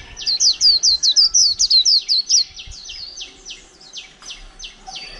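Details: Líu-style song of a caged, wild-caught white-eye kept over a month: a loud, fast string of high warbled, looping notes, about a dozen in two seconds, then a softer run of clipped descending chips.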